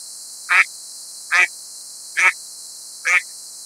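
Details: Mallard in New York State, USA, giving a run of four brief, nasal quacks, evenly spaced under a second apart, with a constant high-pitched hiss behind them.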